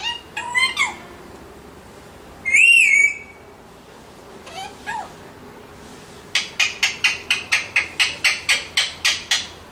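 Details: Pet Alexandrine parakeets calling indoors: a few scattered squawks and one drawn-out, arched screech, then a rapid run of about twelve sharp, harsh squawks repeated roughly three per second.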